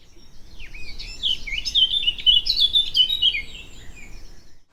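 Eurasian Blackcap singing a rich, fast warble of clear fluty whistles, rising into a loud flourish over about three seconds, with light background hiss.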